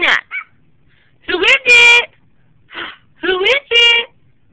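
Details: Bird making funny barking sounds: short, harsh, harmonic bark-like bursts in two clusters about two seconds apart, each with a couple of quick yaps and a longer, louder nasal bark, with silence between.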